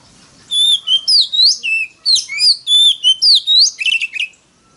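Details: Oriental magpie-robin decoy song in a very loud forest-voice style, used to provoke rivals into singing contests: rapid sweet whistled phrases, rising and falling slurs with sharp chips, about three notes a second, ending in a scratchy twitter.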